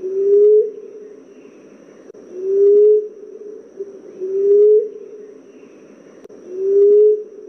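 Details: Common emerald dove call, used as a lure sound for trapping: low, soft, moaning coos that rise slightly and then hold, repeated about every two seconds, four in all, against a quiet background.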